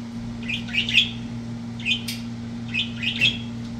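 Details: Budgerigars, recorded October 9, 2023, give quick, high chirps and warbles in short bursts over a steady electrical hum.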